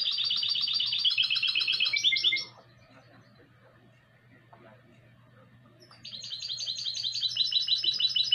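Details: Classic-style song of a goldfinch × canary hybrid from 2020: a brilliant rattling trill that drops slightly in pitch before stopping, then a quiet gap of about three seconds, then another rapid trilled phrase building to the end.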